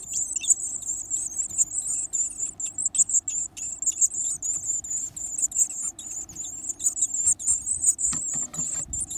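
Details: Energetic Varied tit young eating big bugs, getting bigger each day; dense, insistent very high squeaking fills the whole stretch in quick overlapping pulses, with a brief rustle near the end.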